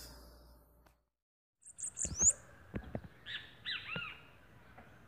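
Bananaquit giving a brief burst of very high, thin, sibilant notes, followed by lower, fuller chirps and a few sharp clicks against faint background noise.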